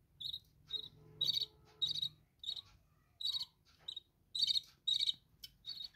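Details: Caged budgerigars in a bird room make repeated short chirps roughly twice a second, some doubled, over a soft low hum and faint background murmur.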